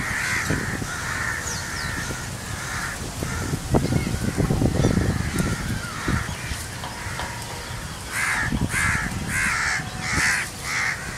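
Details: Rosy starlings in a large migrating murmuration over Hamirsar lake, Bhuj, Kachchh, India, on 18 March 2018, recorded from beneath the wheeling flock: dense harsh chattering calls in bursts, heavy low rumble of wind and wingbeats throughout.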